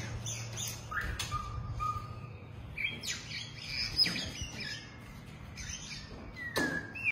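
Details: Captive long-tailed white-rumped shama kept at a breeding facility, giving scattered clear whistles: a steady mid-pitched note, a few short chirps, a high pure note and a falling whistle near the end, over a constant low hum and background noise.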